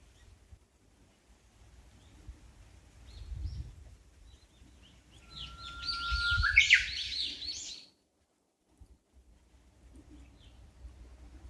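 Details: Small bird singing clearly from trees beside a shady park walkway in Amakusa, Kumamoto, Japan, on a hot day: a drawn-out pure whistle breaking into a rapid, rich warbled phrase, set against low rumbling outdoor background noise that cuts off abruptly near the end.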